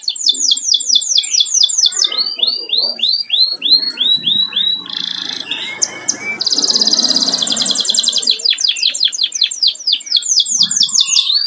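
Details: Home-kept canary singing loudly: rapid series of sweeping, repeated high notes, shifting into dense buzzy rattles and fast trills midway, then back to rolling sweeps; faint low background murmur.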